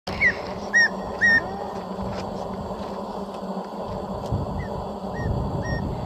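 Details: A tawny antpitta in Cajas National Park, Ecuador, gives three loud, clear whistled notes about half a second apart, then a fainter series of similar whistles, over a low background hum.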